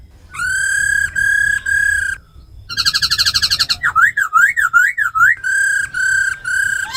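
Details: Captive laughingthrush pair, a female with ro khẹt calls and a tame black laughingthrush singing forest voice; long flat harmonic notes, a rapid buzzy rattle, then a zigzag warbling whistle and more sustained tones.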